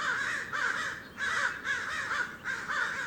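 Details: On a California backyard morning, a flock of crows watching a perched Red-tailed Hawk nearby gives loud, harsh, hoarse caws, about five in three seconds, to threaten it. The hawk itself stays silent.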